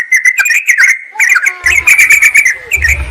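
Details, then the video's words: Whistled, warbling phrases of sooty-headed bulbuls used to call a rival and lure wild birds. Quick notes run close together, with low thumps in the background. "Trucukan memanggil lawan"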